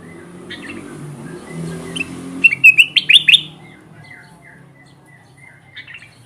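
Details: Trapping lure of a gacor kutilang emas bulbul: quiet scattered notes lead into a quick cluster of four or five bright rising chirps, then softer descending whistles fade out.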